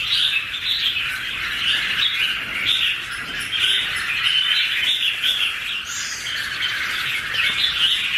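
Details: Red-whiskered bulbul duet of two birds, recorded 2016; a sustained run of rapid chirpy warbling notes with occasional clearer whistles, continuing without pause for the whole stretch.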